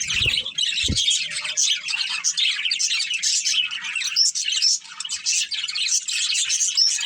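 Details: Budgies in a family group chattering continuously, with dense scratchy warbling and chirps plus occasional thin high whistles, after a short low knock at the start.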